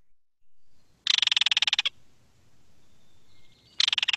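A Belted Kingfisher gives a loud, dry, mechanical rattle of rapid clicks, about 25 per second. It lasts under a second and then starts again. A faint thin whistle sounds between bursts.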